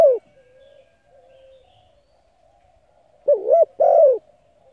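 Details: Spotted dove coo used for luring and stimulating decoy birds: a fading coo tail, a long near-silent gap with faint hum, then one full phrase of a warbled double note followed by a drawn-out falling coo.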